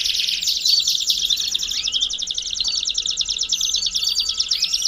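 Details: Belgian canary song, used to warm up a canary: a continuous, dense, high rattling trill that rolls on without a break, with brief slurred whistles laid over it and a faint low hum underneath.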